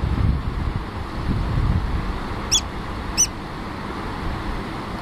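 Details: A Eurasian oystercatcher with its chick, in Iceland, gives two short, shrill piping 'kleep' notes about a second apart over a steady low rumble of wind or distant traffic.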